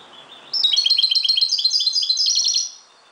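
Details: European goldfinch of Moroccan type in dawn song: one sustained phrase of quick, liquid twittering notes repeated several per second, bright and high, ending in a denser jingling flourish.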